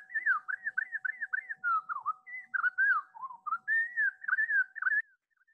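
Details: Slowed playback of a Pacific Wren song: a continuous chain of clear whistled notes, each dipping and rising, in quick loops with a few lower slurred phrases midway, ending abruptly after five seconds.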